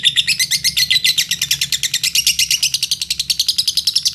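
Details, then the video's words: Lovebird from Indonesia, chattering to provoke other lovebirds into singing: continuous fast, harsh twittering pulses, loud and unbroken, with a faint low hum in the background. "Pancingan lovebird paling ampuh."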